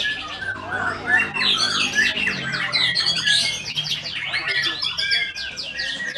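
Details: White-rumped shama song: a dense, rich stream of varied whistles, chattering trills and rapid notes with barely a pause, heavily overlapped and busy throughout.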